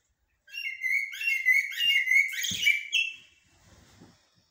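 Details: Common blackbird singing in the styles locally called blacksmith and military song: one rich, fluted warbling phrase lasting about two and a half seconds, closing with a higher, squeaky twitter, then faint low rustling and quiet.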